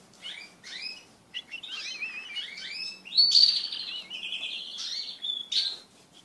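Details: Pet crested canaries mating together as a group. A bright, varied warbling song with rapid wavering trills and rolling phrases, rising into a loud, sustained buzzy trill before ending in sharp high notes.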